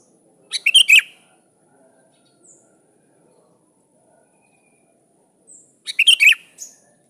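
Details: Sooty-headed bulbul calling to a rival: two bursts of quick bubbly, liquid notes about five seconds apart, with a few soft chips between them and a steady thin high whine behind.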